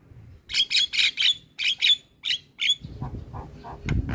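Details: Javan myna (jalak kebo) in full song, chattering used as a tutor recording for other mynas: a run of about ten harsh, buzzy bursts roughly every quarter second, then softer lower notes over rustling background noise.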